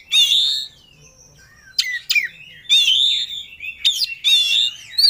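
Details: Agitated oriental magpie-robin looking for a rival: bursts of rich warbled whistles and buzzy trills separated by pauses, including a thin steady whistle and sharp snapping notes.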